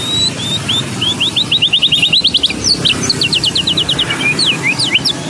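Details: Contest-tutor recording of a white-rumped shama, Medan variety: a fast, varied song opening with clear whistles, building into quick repeated trill notes, then sharp downward slurs and chattering phrases over faint background noise.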